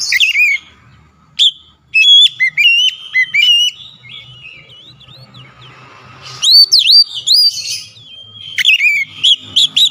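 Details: White-rumped shama singing with high agitation: loud whistled phrases that rise and curl, rapid ringing flicks, a softer wavering stretch in the middle, then renewed bursts of bright looping notes and high sharp accents.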